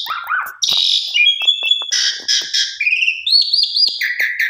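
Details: Pied myna song used to trigger silent birds into singing: continuous mix of harsh buzzy phrases and steady high whistles, with clicking notes scattered throughout.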